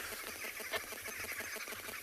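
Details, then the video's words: Several green wood hoopoes at sunset on 1 September at Tswalu Kalahari Reserve, South Africa, keep up a fast, rattling, overlapping cackle of dense rhythmic chattering that had gone on nonstop for 10 to 15 minutes. "Again, you can hear those green wood hoopoes calling in the background."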